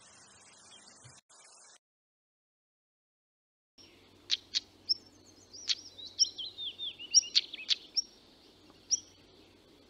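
A European Stonechat gives a short, scratchy, high-pitched warble of sharp clicks and quick downslurred notes, after a brief hiss and a pause.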